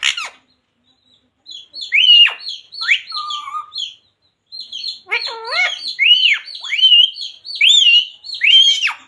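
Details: Parrot talking in mimicked words like jai shree ram and radhe radhe; a sharp note, a short silence, then a string of high, nasal, word-like syllables with sliding pitch, roughly one per second.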